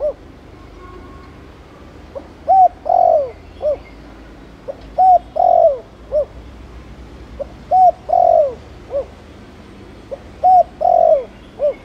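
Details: Thổ Đồng-style spotted dove cooing to stir other doves into calling: four repeated phrases about every two and a half seconds, each a short coo, a drawn-out descending note and a short tail note, with little background noise.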